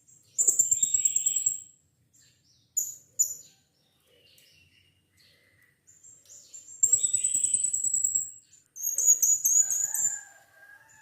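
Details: Captive blue-crowned hanging parrot, used as a lure recording to prompt another captive bird to sing: very high, thin, buzzy trills lasting one to two seconds, separated by brief sharp chips, with a lower drawn-out whistle near the end.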